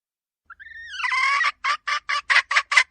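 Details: Red junglefowl hen calling as a decoy: thin rising whistled notes swell into a long harsh squawk, followed by about seven short clucks at a quickening pace.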